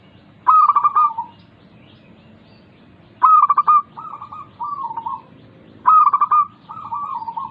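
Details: Zebra dove, a local caged bird, sings a lure song for prompting idle doves. Three phrases each start with a loud pulsed stutter, then drop into two softer rolling coos, spaced about three seconds apart.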